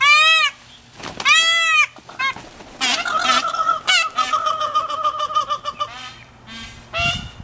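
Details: Indian peafowl peahens squabbling over a male in March 2019 at the L.A. Arboretum; two loud nasal honks, then a longer run of rapid, jumbled, cackling notes and a final honk.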